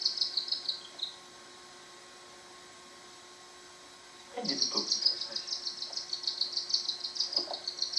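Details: A cockatiel chick only a few days old gives a harsh, rapidly pulsing, high-pitched rasp as it begs while being fed by its father.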